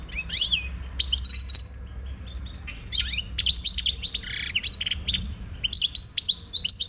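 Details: European goldfinch of the Moroccan 'khlawi' type in full song, a continuous stream of high, liquid twitters, sharp chips and short buzzy trills, delivered in fast clusters with brief pauses over seven seconds.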